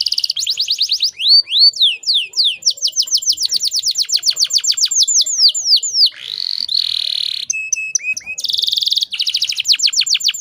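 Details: Canary described as a breeding female luring males to song: continuous varied trills of sharp descending notes, a buzzy section, a brief steady whistle, and a final fast rolling trill.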